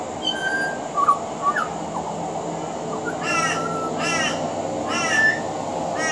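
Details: A pied butcherbird singing on a veranda in Australia gives a few soft whistled notes, then three harsh, crow-like caws about a second apart, mimicking another Australian bird, over a low background hum.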